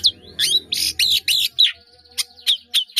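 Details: Energetic long-tailed shrike 'gacor' song with many mimicked fill-ins, meant for training caged birds: harsh buzzy chattered phrases, then a run of short sharp high chips about four per second.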